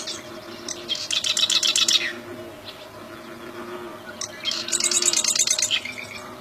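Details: Bar-winged prinia in the wild delivering two bursts of quick, evenly repeated high chipping notes, each about a second long, separated by a quieter pause.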